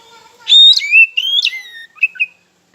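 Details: Oriental magpie-robin lure song for provoking rivals: clear, loud whistled notes that leap up and down, then two brief chirps to close the phrase.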